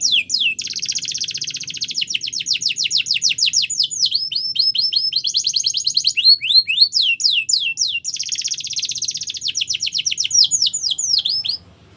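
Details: Canary singing in a training song. Long, very fast rolling trills run in bursts, broken by quick downslurred notes and short pauses, then stop abruptly near the end.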